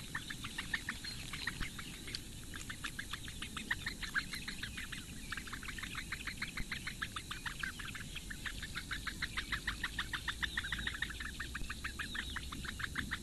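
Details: Eurasian bittern chicks at a webcam nest in the Lake Engure reedbeds, Latvia, begging as the lone female feeds all four, morning of 15 May 2017: long unbroken stream of quick repeated ticks, a few louder ones standing out.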